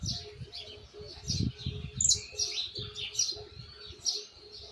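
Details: Young Argentine white saffron finch (jilguero blanco) practising the misisipi song style, still unpolished: rapid high chirps and twittering phrases with sharp upward notes, over a steady low hum and a faint background tone.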